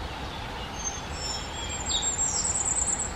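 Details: Common Firecrest giving faint, very high thin notes, then a quick high-pitched ticking run building toward the end, with steady low background noise.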